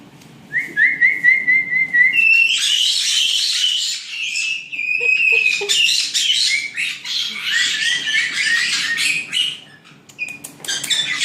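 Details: Nine young white-bellied caiques chattering in a breeder's aviary near Dallas, Texas: a run of rising whistled notes, then dense harsh squawking chatter from about two seconds on, with brief gaps and short whistles near the end.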